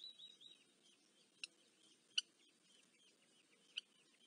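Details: Eurasian hobby chicks being fed at a nest in Dorset, UK, July 2024, giving high, thin, slurred squeals in a loose series, broken by three sharp loud clicks.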